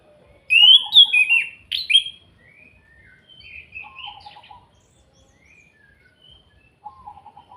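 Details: Kretekan calling of an orange-headed thrush from Salatiga, played to provoke rival birds: a loud jumble of sharp, high, buzzy notes, then softer warbles and short low rattling trills in separate bursts.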